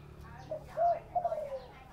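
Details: Spotted dove from Tân Hưng, Long An, Vietnam, singing in the thổ bầu voice style: a short phrase of low, soft hooting coos, a brief note, a longer one, then a wavering drawn-out coo, faint against background murmur.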